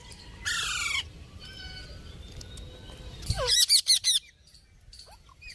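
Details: Pet parrot singing and talking, giving a loud falling harmonic squawk, soft chatter, then a rapid series of four or five harsh loud notes.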